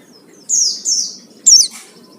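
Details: Oriental white-eye used as a lure for singing: two drawn-out high, thin, slightly falling whistles followed by a sharp bright slurred note.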